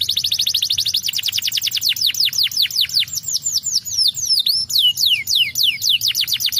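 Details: Canary singing to stimulate birds: a quick high trill that slows into sweeping downward whistles, then twisting rising-falling notes and spaced descending slurs.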